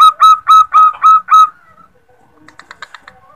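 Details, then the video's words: A female zebra dove calling to a male, used as a trapping lure: six quick, even, mellow hooting notes, about four per second, then a fainter burst of softer notes. "suara perkutut betina memanggil jantan"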